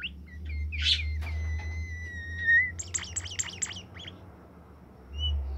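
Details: Caged bimoli bird singing: short whistles and a harsh burst, then a long steady pure whistle held for over a second, followed by a rapid buzzy chatter of high notes, with a low rumbling hum throughout.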